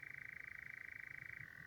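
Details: Nightjar on heathland at night, one of two distant birds, giving a long steady churr that drops slightly in pitch near the end, with faint low background noise.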